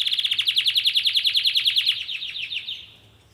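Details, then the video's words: Singing yellow Belgian canary: a loud, evenly paced high trill of about three pulses per second that slowly fades out over the last second. "Canário belga amarelo cantando muito"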